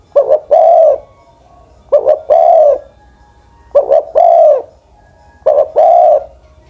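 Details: Spotted dove, an old ground decoy bird aged over ten, cooing in regular phrases of two clipped notes and a drawn-out purring coo, repeated four times at roughly two-second intervals against a quiet background.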